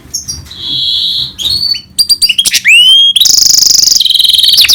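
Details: Goldfinch-canary hybrid song opening with a steady whistle, then quick chirps, rising slurred notes and a long intense trill at the end.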